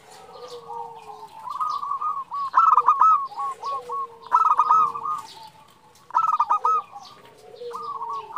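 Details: Female zebra dove calling to a male, a recording meant to lure and excite males: soft cooing with a drawn low note, then bursts of rapid, bubbling, hooked notes that repeat in phrases.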